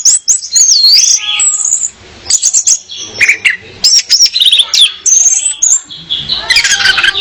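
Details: Orange-headed thrush female song meant to attract a male: dense, fast, high-pitched warbling that mixes sweeping whistles, sharp chips and trills in near-continuous phrases.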